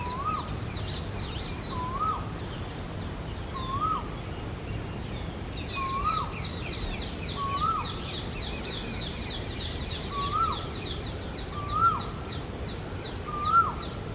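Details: Male Asian koel sings eight short rising-falling whistled notes spaced about every one and a half seconds, while other small birds chatter in rapid high twittering bursts and low noise hums beneath.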